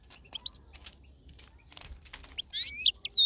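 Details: European goldfinch outdoors, a few thin high chirps early on, then a loud burst of tumbling twittered notes in the last second, with some clicking noises between.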